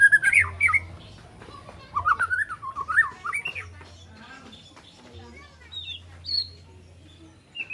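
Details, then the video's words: Spotted white-rumped shama youngster of three months rehearsing fill-ins and sharp shots: wavering, warbled whistles in short bursts separated by pauses, a few high thin notes later, over a low droning hum. "Murai Batu Trotol Jahat Usia 3 Bulan Belajar Bongkar Isian Besetan & Tembakan Tajam"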